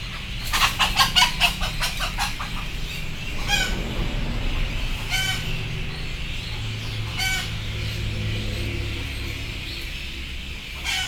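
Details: Frightened chickens waiting to board: a quick run of rapid clucks opens, then sparse single squawks every couple of seconds over a heavy low rumble.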